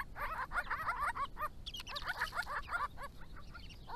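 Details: Family group of Grey-crowned babblers at a water spot on a rural Victorian property, drinking and bathing in summer heat while calling to each other; quick bursts of harsh chattering notes in rapid series, pausing briefly, with a faint background hum.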